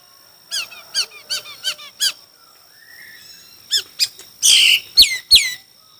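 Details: Chinese hwamei singing in a contest: a series of short repeated chirping notes, a brief gap, then more chirps, a harsh buzzy burst and two loud downslurred whistles.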